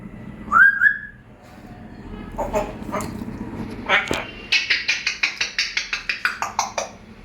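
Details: Pet African grey parrot indoors: a short whistle, then a quick series of about fifteen smacking kiss-like clicks repeated several times a second, with a person speaking softly.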